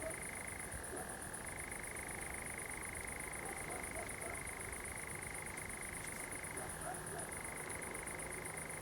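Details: Sudden song of a common nightjar among pines at Zamudio, Bizkaia, on a July 2020 night: an unbroken purring trill that twice dips lower for about a second before resuming, with faint chirps and high steady hiss.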